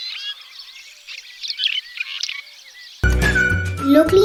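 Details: Red-rumped Swallow, Sri Lanka, twittering for three seconds in quick, high chirps and short slurred notes, cut off by a man speaking over music.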